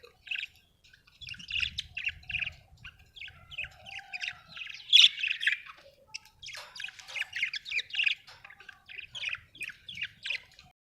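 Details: Steady chatter from a budgerigar: dense, high, scratchy chirps repeated several times a second for over ten seconds, with faint low hum behind.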